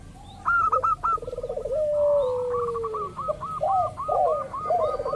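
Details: Local zebra dove lure for making other doves sing; a rippling trill slides into a long falling coo, followed by a quick train of clipped notes and bouncing arched coos.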